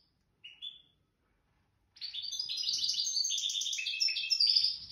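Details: Wild-bred goldfinch from the nest in wedani song: two thin rising notes, a silent pause, then a continuous rapid cascade of high tinkling twitters for the last three seconds.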